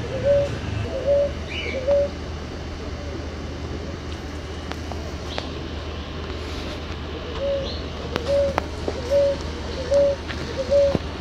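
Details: Ruddy ground dove (Columbina talpacoti) song: soft, low coos, three and then five in a row at nearly one per second, over a steady low hum and faint chirps.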